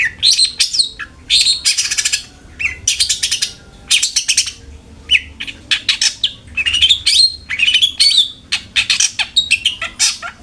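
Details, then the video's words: Long-tailed shrike song played as a lure to get caged shrikes singing often: dense bursts of scratchy, chattering notes woven with whistled phrases and mimicked trills, pausing briefly midway before resuming faster and busier. "PANCINGAN CENDET AGAR RAJIN BUNYI"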